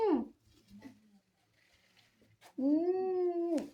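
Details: Pet talking parrot producing a sharp falling squawk, a softer note, then a long steady harmonic-rich drawn-out call ending abruptly.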